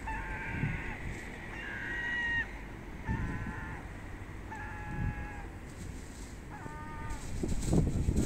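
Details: Hungry herring gulls feeding on trash in a city. They give nasal, harmonic calls in short bursts, about five groups across eight seconds, some calls stepping down in pitch. A steady low urban rumble runs underneath.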